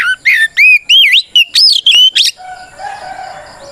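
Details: Oriental magpie-robin in aggressive fighting song, used to lure other birds into replying: a rapid series of loud, swooping whistled notes over about two seconds, followed by quieter background.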